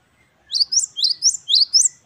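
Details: Gelatik batu wingko, the great tit Parus major, singing the 'wucit2 kristal' style: three brisk two-note phrases, each an upward-swept note followed by a sharper, higher one, in an even rhythm.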